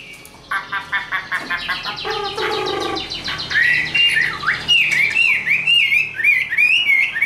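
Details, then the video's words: Tame caged Chinese hwamei in fighting song: opens with a fast harsh rattling buzz, then breaks into rapid rich whistled notes, rolling and bouncing up and down in quick succession. "Họa mi số 1120 Chim thuần 100% sách tay hót đấu đá rất tốt"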